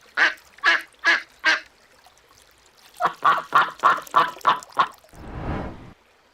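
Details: A duck gives four spaced, harsh quacks, then a quicker run of six after a short gap, ending in a burst of rustling noise.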